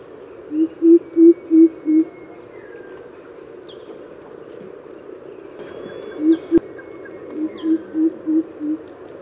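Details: Rooftop recording of a greater coucal, called Kubo in Bengali, giving its coop-coop-coop call: a run of five low, booming hoots, then two, then another five softer hoots, against a constant shrill insect drone.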